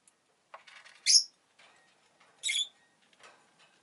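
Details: Two quieter, squeaky chirps from a pet rosy-faced lovebird about a second and a half apart, with faint soft rustling sounds around them.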